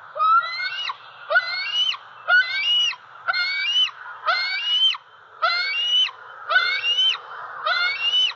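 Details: Persistent food begging by a six-month-old juvenile bald eagle at its Southwest Florida nest tree, October 2020: eight harmonic, rising-then-falling whistles, nearly one per second, very even in shape, over a steady hiss.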